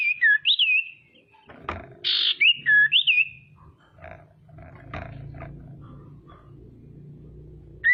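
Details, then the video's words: Female common iora (sirtu) lure call aimed at rival birds; wavering whistled notes, a harsh buzzy burst, then more looping whistles, followed by steady low rumbling noise. "SIRTU BETINA GACOR PANCINGAN PALING AMPUH BIKIN CEPAT BUNYI DAN EMOSI SIRTU LAIN"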